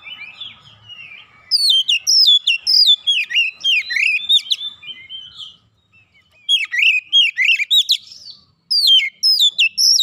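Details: Oriental magpie-robin (kacer) roused into an aggressive challenge song: rich sequence of sliding whistles and crisp chirped notes in fast bursts, a silent gap midway, then further loud downslurred phrases.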